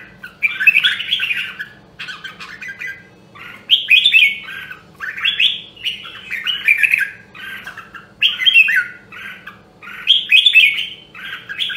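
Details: Red-whiskered bulbul of the rare Nam Đông, Huế strain in voice training sings rich warbled phrases over about twelve seconds, bursts coming every one to two seconds, each slurred and bright, above a faint low hum.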